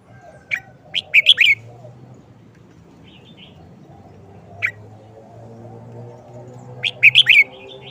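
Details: Red-whiskered bulbul delivering short song phrases repeatedly: two clusters of four to five quick, clear whistled notes with a single short note between them, separated by quiet stretches with faint background hum.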